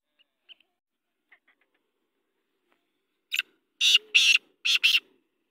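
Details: Black francolin gives a few faint ticks, then after a pause a series of four loud, harsh, grating notes in quick succession over about two seconds, with near silence around them.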